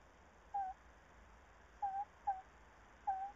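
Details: Tawny owl at a nest on 3 March 2019 around 19:05, the male coming to talk while an egg is present, giving four short, soft, slightly falling hoot-like notes at an uneven pace over quiet hiss.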